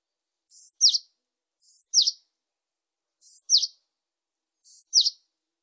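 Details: Japanese tit, 2020 recording: four paired phrases about every 1.4 seconds. Each pairs a thin, very high steady whistle with a sharp note sliding steeply downward. No other sounds.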